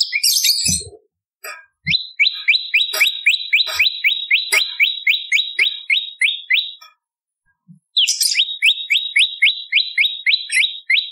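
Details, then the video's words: Bar-winged prinia song used as a lure and as a tutor for other songbirds: a scratchy opening, then two long bursts of rapid descending chirps, about four a second, separated by a short pause, with soft clicks. "Prenjak Lumut Gacor ! Variasi Suara For Murai C Ijo Cungko / Pancingan Prenjak Gacor /Suara Pikat"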